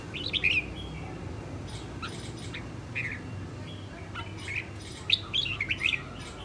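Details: Song practice by a female red-whiskered bulbul, a northern bird: scattered bright whistled phrases and quick chirps, some fainter and some loud, spread across several seconds with low background hum.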